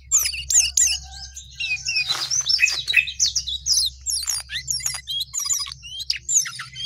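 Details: Sooty-headed bulbul singing vigorously: a dense, fast stream of high, sharp chirps and short whistled slurs, with a brief harsh burst near the middle, over a steady low hum.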